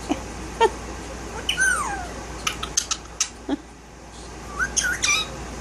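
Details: A pet male Indian ringneck parakeet, violet, about one year old, with no tail and no neck ring yet. It gives short clicks and chirps, a falling whistle, then a cluster of bright rising squeaks near the end, with human voices nearby.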